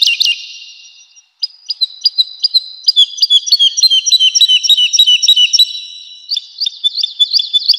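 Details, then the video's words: A woodlark sings in spring forest with a few opening notes, a pause, then steady repeated clipped whistles that quicken into a varied, looping warble. "Woodlark (Lullula arborea).Birds Singing and Chirping in Forest."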